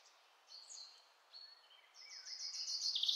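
Yellow-billed blue magpie giving high, thin whistled notes and a short falling whistle, then a fast, grating chatter that grows louder over a faint background hiss.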